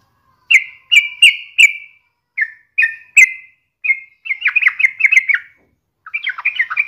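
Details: Clear separate chirps from a sooty-headed bulbul, spaced under half a second apart, running into faster bubbling chatter; used as a daily lure to get other birds singing.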